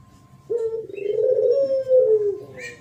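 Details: Spotted dove singing in the thổ pháp style, a 2023 recording used to provoke wild birds, males and females: one long, low, smooth coo that holds steady for about two seconds, rising slightly then easing down, with a faint chirp at the end.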